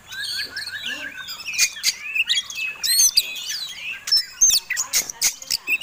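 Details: Kacer tarung, an Oriental magpie-robin giving its fighting song as a lure for other birds: a run of repeated downslurred notes, then dense twittering with sharp upsweeps and clicks mixed through the phrase.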